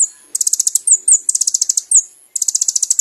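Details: High-pitched kolibri ninja song used for training caged birds: rapid even series of sharp ticking notes broken by short downslurred whistles, in three fast bursts.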